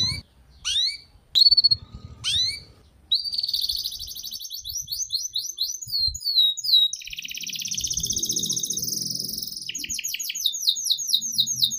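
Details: Canary master song used as a lure for young birds: several sharp falling whistles, then fast rattling trills and sweeping repeated notes, with faint low background rumble.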